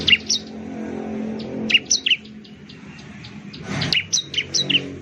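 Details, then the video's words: Ciblek, or bar-winged prinia, from Indonesia gives clusters of high, sharp chirps over a murmur of low background noise, with a brief passing rumble midway. "suara burung ciblek/ciblek sound"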